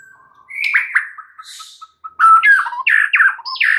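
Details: White-rumped shama in morning song: soft slurred whistles and short pips, then after a brief pause a loud rush of harsh descending chattering notes.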